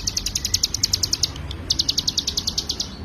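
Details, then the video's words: Hill prinia (ciblek gunung) singing its full 'ngebren' song for training other songbirds: quick bursts of bright, high ticking notes, several per second, with a brief pause mid-way and soft background hiss. "CIGUN GACOR FULL NGEBREN"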